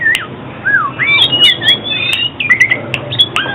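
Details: Oriental magpie-robin song used to lure birds and train singing: quick varied whistles, downslurs and sharp chips packed closely together, with a low constant hum behind.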